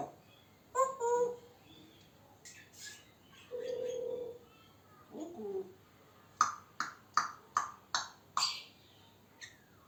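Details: Male African grey parrot talking to himself: scattered whistled and nasal speech-like sounds, a drawn-out buzzy tone, then a run of six sharp clicking chirps spaced about half a second apart.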